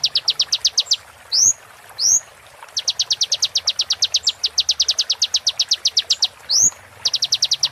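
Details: Konin, or olive-backed sunbird, 'roll tembak' training song for moulting birds: long rapid series of high ticking notes, broken by occasional loud upward-sweeping whistles.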